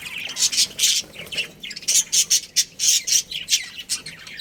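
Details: Budgerigars in a home colony, a breeding family, squawking and chirping in quick rhythmic bursts, about two to three per second, bright and harsh.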